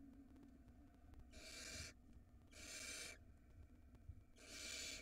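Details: Nestling barn owl swallowing a rodent in its nest box in Israel, mother nearby checking outside; three strong, harsh hissing screeches, each about half a second long, repeated roughly every one and a half seconds.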